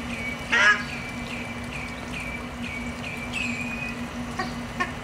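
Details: At Aeres Barneveld, ruddy shelducks with ducklings: one brief nasal honk, then a run of thin, high, downslurred peeps repeated about every half second, faint clicks and a steady low hum.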